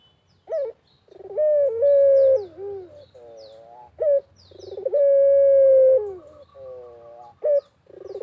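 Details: Lure recording of a Barbary dove calling persistently in the Indonesian countryside. Rolling, pulsed openings run into prolonged steady coos, with brief rising yelps between them and faint chirps of small birds overhead.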